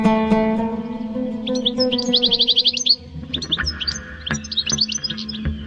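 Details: European goldfinch song around Marseille, France: bright, rapid tinkling chirps and a fast buzzy trill of repeated notes, then scattered twittering, heard over steady guitar music.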